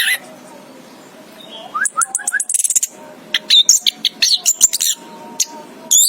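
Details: Anis kembang, the orange-headed thrush, gives a few soft rising notes, then bursts into fast, varied high twittering and sharp squeaks in clustered bursts separated by brief pauses.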